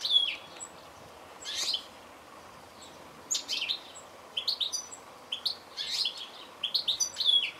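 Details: Goldfinch calling: bursts of thin, high twittering chirps and short tinkling notes arrive in quick clusters with brief pauses, the loudest near the start and end.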